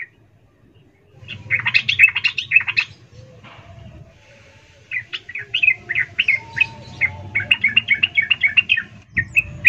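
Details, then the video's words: Sooty-headed bulbul female calling to a male, ngecuplik style, serving as a lure for reluctant singers; bursts of quick, bright chirping notes separated by a pause, with a steady low rumble beneath. "Trucuk BETINA memanggil jantan Ful Ngecuplik EMOSI"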